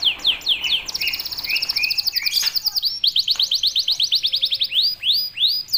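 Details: Persistent canary song meant to train young birds to sing quickly: quick downslurred notes, then a high, dense rolling trill, a short buzzy burst, and steady clipped notes repeated several times a second, ending in rising swoops.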